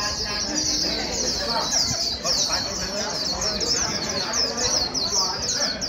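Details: Fast líu-style singing from a wild-caught white-eye under training: continuous high twittering of quick sweeping notes for six seconds, with soft voices and room noise in the background.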